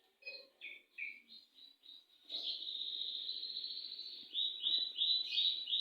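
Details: Canary singing a long roll: a few short whistled notes lead into a sustained, steady high trill lasting about two seconds, followed by quick rising repeated notes.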